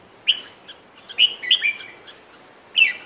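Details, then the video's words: Sooty-headed bulbul giving bright, liquid chirps and short warbled phrases around two to three kilohertz, in quick bursts with brief pauses, over a quiet background. "Chirping birds Merbah Jambul"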